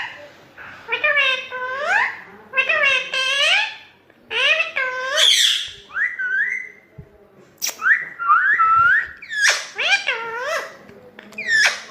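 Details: Pet parrot talking nonstop indoors: a run of harmonic speech-like phrases with rising and falling contours, mixed with whistled slurs and a few sharp squeaks.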